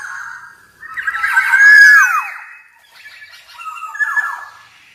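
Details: Kepodang emas, the black-naped oriole, giving mellow whistled song: a level note, then a louder warbling phrase with downward slurs, followed by a softer repeated phrase, all in a quiet setting.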